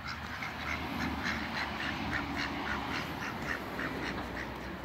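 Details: Three Pekin ducks meeting in a backyard, giving rapid, repeated short nasal quacks about three or four per second, fairly even, over a steady low background hum.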